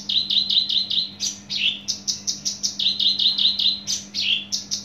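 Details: Javan bush lark of Java delivering loud, rapid, rhythmic song: high chirps repeated about two or three per second, some with warbled trills, others dropping into lower slurred notes, forming a steady pulsing sequence.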